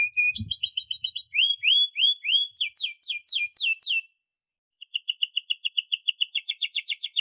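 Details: Canary singing a model for young canaries learning to sing: rapid chatter, rising whistled sweeps, a choppy rolling phrase, a brief silence, then quick repeated chirped notes; a low knock at the start.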